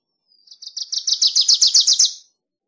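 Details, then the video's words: Wilson's warbler song: a rapid chattering run of about fourteen high, sharp chip notes, starting softly and growing louder before stopping abruptly. No other sounds. "Wilson's Warbler Song! Wilson's Warbler Call! Sound!- Reinita De Wilson Canto - Cardellina Pusilla"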